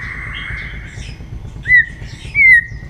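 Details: Two short, clear whistled phrases from a white-rumped shama in morning voice-training song, each a quick upward slur then level whistle, after a faint sustained tone.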